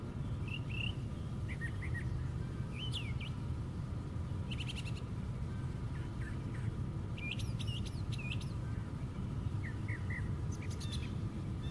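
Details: From the top of a white pine tree, a brown thrasher delivers a string of varied phrases: clipped chirps, paired slurred notes and dense buzzy bursts, separated by short pauses, over a low continuous rumble.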